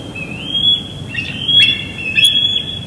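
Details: Juvenile bald eagle at Big Bear Lake, June 21, 2022, squeeing while chasing a parent around the area in the evening, captured via live nest cam: thin high whistled squeals, long sustained and slightly wavering, with brief sharper notes, over steady outdoor hiss.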